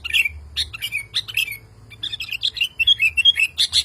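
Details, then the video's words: Sooty-headed bulbul male calls a female, stirred up by other bulbuls. Scattered high chirps and downslurs lead into a flowing series of bubbly, slurred notes and loud closing chirps. "SUARA BURUNG KUTILANG JANTAN GACOR MEMANGGIL BETINA"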